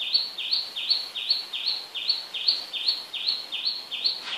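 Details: Bathing sparrow gives a steady series of identical sharp chirps, each a quick high note with a falling tail, repeated roughly every third of a second throughout, with soft background noise.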